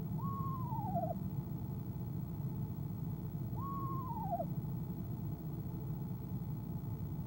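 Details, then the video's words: Two tremulous downward-sliding trills, spaced about three seconds apart, given by a female eastern screech owl in a nest box during the evening of 25 January 2015, ahead of her 6:10pm CST departure; constant low rumble beneath. "Athena ESO Athena trills"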